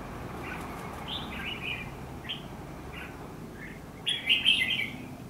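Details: Fighting song of a red-whiskered bulbul, used to lure rivals into a trap, taped 14 December 2015; faint sparse whistles lead to a loud, rapid, rich phrase in the last second and a half.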